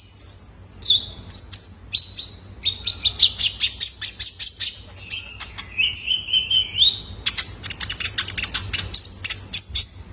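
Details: Juvenile male Kolibri Ninja sunbird as a lure for cage-bird training: a long, energetic sequence of high, rapid chirps, buzzy trills and slurred whistles.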